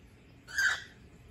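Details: Male pet cockatiel playing on a swing, seeming to want to sing but not quite managing; a single short, breathy, hoarse note lasting about a third of a second, rising then fading, against a quiet indoor background.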